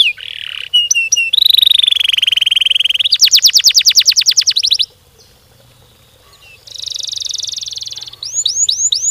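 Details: Canary in full, long-running song with a fast, dense delivery: a sustained buzzy roll, then a rapid rattling trill of high notes, a brief pause, another buzzing roll, and closing looping whistled notes.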